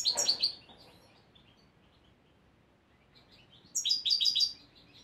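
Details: Young European goldfinch of the year, learning its song from a recording: two short bursts of bright, high twittering notes, one at the start and another after a pause of about three seconds, over a low hiss.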